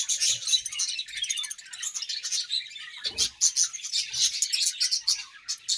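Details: Budgies in a colony chirp as they eat, a busy overlapping stream of high twittering chirps and warbled notes with a brief low knock near the middle.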